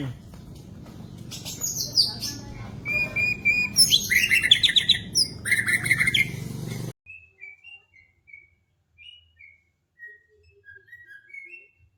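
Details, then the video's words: White-rumped shama singing, used to train caged birds: a dense burst of rich, rapid whistles and chattering notes over a loud low rumble, then a quieter stretch of short, clean whistled notes spaced apart. "macam macam suara murai batu"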